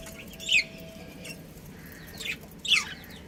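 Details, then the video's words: Budgerigars of a pet breeding pair give a few soft, scattered chirps, each sliding downward, spaced by short quiet gaps against faint background hum. "Cute Budgies Chirping Sounds"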